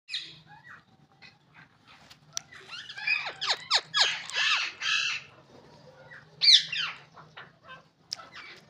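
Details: Green ringneck parrots giving harsh, rasping screeches in a rapid burst of downward-sweeping notes, with quieter squawks before and after and a faint low hum beneath.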